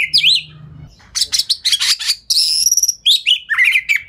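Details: An Oriental magpie-robin pours out quick, dense lure song, tail open, to make other magpie-robins respond; a looping whistle, scratchy buzzy bursts, a long high sustained note, then tumbling slurred warbles.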